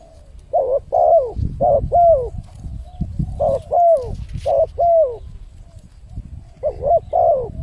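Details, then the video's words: Spotted dove calling as a lure to attract wild birds: repeated phrases of rounded coos, a short note then a longer down-slurred one, in a fairly quiet setting. "suara pancingan burung tekukur, untuk mendatangkan burung liar."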